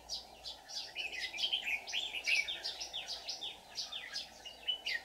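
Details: Red-whiskered bulbuls at a trapping site on 24 July 2019, where a decoy sings a fighting song to draw in wild birds. A fairly faint, dense stream of short chirped and downslurred notes repeats over a constant background hum.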